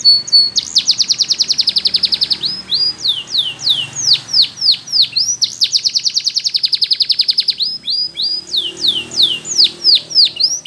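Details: Belgian canary training song for young canaries: fast, high rolling trills alternating with runs of downward-slurred whistled notes, each phrase lasting a few seconds, continuous and loud.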